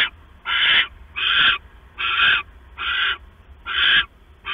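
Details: Owl at night, a male bringing a mouse to the female, recorded 6 September 2015 around 10:52 PM: harsh, hissing screeches in steady bursts, about one every 0.6 seconds, with a low background hum.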